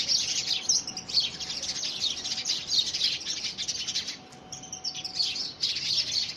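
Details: Several house sparrows squabbling over a hand-built nest box, first week of February 2017; rapid, excited chirps packed closely together, briefly thinning near the middle before bursting back into a busy chattering chorus.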